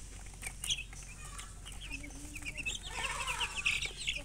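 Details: Baby chicken chicks chirping: quick high, thin peeps repeated in uneven bursts, growing busier and denser toward the end, with faint rustling beneath.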